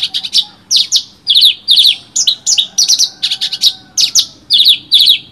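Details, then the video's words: Horsfield's bush lark (branjangan) delivering luxurious song material for tutoring: rapid stream of bright, chattering double and triple notes, about two phrases per second, high and sharp, with a faint low hum underneath. "branjangan materi mewah cocok buat masteran"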